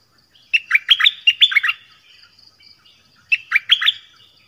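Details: Nok dok taeng, a songbird of Thailand, sings a fast jumble of about ten looping whistled notes, then pauses over a second before a shorter reprise of four similar falling slurs.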